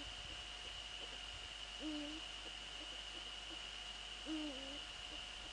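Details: Night recording of Eurasian eagle-owls near a nest in the Netherlands, 15 February 2013, 04:40, male visiting female: two brief, slightly wavering tonal calls about two and a half seconds apart, with a constant high-pitched hum behind.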